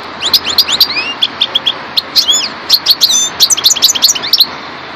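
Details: Subspecies parva of the European goldfinch in full song: a lively, rapid jumble of high tinkling twitters, slurred whistles and brief buzzy notes, delivered almost continuously for five seconds.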